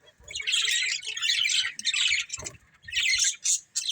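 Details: Breeding pair of budgerigars giving dense, high twittering chatter in two long bursts, with a short gap near two and a half seconds and a sharp squeak at the end.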